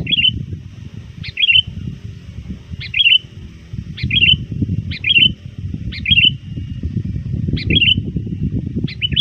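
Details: Trained sooty-headed bulbul lure bird calling persistently to rivals before dusk: short, sharp-onset, bubbly phrases repeated roughly every one and a half seconds, with steady low rumbling noise beneath.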